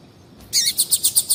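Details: Female Double-collared seedeater calling to stimulate a male to sing: a quick run of about seven high, bright chip notes, evenly repeated roughly eight times per second.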